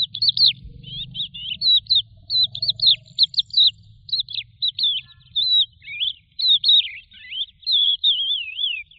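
A Eurasian skylark pours out a continuous, rapid stream of high, chirping and trilling notes with quick slurred twists. A low rumble of wind is heard early on.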